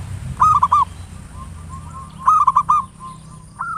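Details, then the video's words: Ngayer nulop style song of a local zebra dove, played as a lure to stimulate singing: two short mid-pitched cooing phrases of quick stuttering notes, about two seconds apart, with a soft drawn note between. "Perkutut lokal PANCINGAN SUARA NGAYER NULOP"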